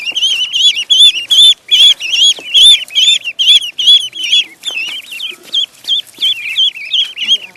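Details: Pond duckling peeping loudly and steadily: sharp high wavering notes repeated about two or three times a second in clustered runs, with faint splashes behind.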